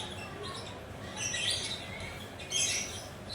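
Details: Relaxed lovebird giving softer chatter, two or three short bursts of thin, scratchy, high squeaks with quieter gaps between them.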